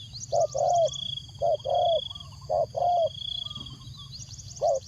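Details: Decoy spotted dove cooing to lure wild doves: low hollow coos in short-long pairs, each a brief note then a longer drawn one, repeated roughly every second with a short pause, over a steady high thin whine and faint background hum.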